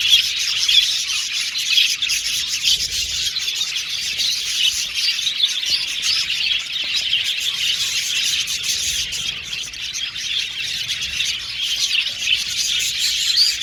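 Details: Budgerigar aviary colony, a long steady chorus of high twittering, chirps and raspy chatter from numerous birds, evenly dense from start to finish with no pauses.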